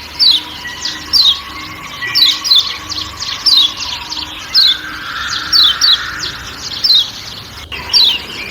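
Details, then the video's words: Kecial kuning, a Lombok white-eye, giving 'ciak ciak' calls amid forest sounds: sharp high descending chirps, single or paired, roughly every second, over a steady low hum and a broad mid-pitched forest wash. "Kecial Kuning Ciak Ciak Dan Suara Hutan"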